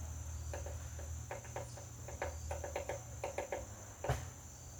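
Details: A woodpecker chips at a butterfly house: scattered sharp taps, some in rapid pairs, and one louder knock near the end, over a steady high whine.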